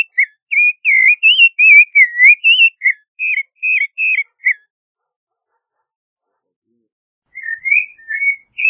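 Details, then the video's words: Creamy-bellied thrush pouring out a fast warbled string of short whistled notes, twisting up and down, then falling silent before a softer, lower burst of a few notes at the end. "Zorzal Chalchalero Canto - Creamy-bellied Thrush Song - Turdus Amaurochalinus"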